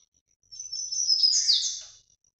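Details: Short high warbled phrase from an azulão (Ultramarine grosbeak), Paraná vinte vinte style: about one and a half seconds of smeared, rising then falling whistled notes, clean and without background noise.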